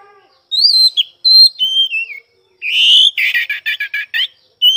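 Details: Oriental magpie-robin song mixing clean, slurred whistles that step downward with a loud drawn-out buzz and a quick series of rattling, chattering notes, ending on another brief whistle.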